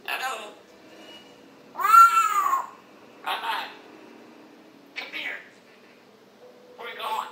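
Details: Pet African grey parrot's morning chatter indoors in a small room, recorded July 26, 2021: short harsh bursts and one loud arched whistle-like squawk near two seconds, separated by quiet gaps, with a faint background hum.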